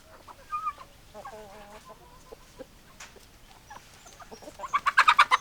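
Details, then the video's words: Chickens give scattered short clucks and a brief drawn-out tonal call, then loud rapid sharp chirps build near the end over a quiet background. "Chicken Sounds Noises Hens Clucking Roosters Crowing"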